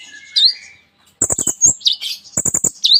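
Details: Sunbird, locally kolibri ninja, in full lively song with mimicked phrases: a thin high whistle, a brief pause, then quick rattling clicks mixed with sharp high chirps and twittering notes, repeated in short bursts.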